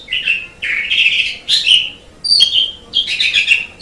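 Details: Asian pied starling singing a varied phrase of buzzy, rasping warbles mixed with clear high whistles, delivered in short bursts with brief pauses between them, and a low hum in the background.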